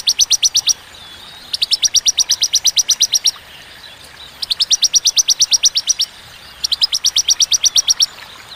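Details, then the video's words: Bar-winged prinia in sharp, clear 'tembakan' song with pauses: four bursts of fast, even, high-pitched repeated notes, each about a second or more long, separated by short silent gaps. "Tembakan ciblek ciwah cigun sadis pedas jernih berjeda"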